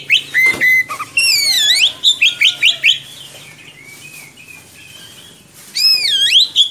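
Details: Oriental magpie-robin singing a long rolling song meant to tutor young birds; a flat whistle, then a run of looping rising notes and fast chirps, a quieter soft warble, and a final burst of bright swooping whistles.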